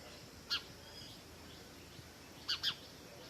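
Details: House sparrow chirping: three brief high chirps, one at half a second and a close pair near the end, over steady faint background hiss.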